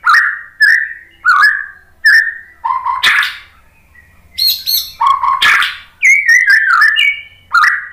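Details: White-rumped shama singing, used as a lure to make other birds answer and sing, showing off its mimicked material; mid-pitched whistled phrases repeated about every second, broken by two harsh, noisy bursts and a short pause.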